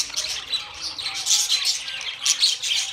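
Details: Budgerigar talking-style chatter: rapid, high, scratchy warbles and clicks in an unbroken flow, with a few sharper peeping notes.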